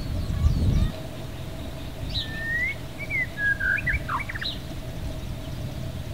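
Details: A non-native white-rumped shama at West Loch Shoreline Park, Pearl Harbor, Oahu, Hawaii, sings a rich, varied phrase of clear slurred whistles and quick liquid notes over about two seconds, with a low rumble and a brief thump.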